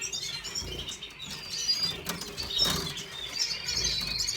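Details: Red siskin recorded on 5 April 2022, giving soft, high twittering chirps and thin warbled notes throughout, with broadband fluttering clicks like wing flaps scattered across the recording.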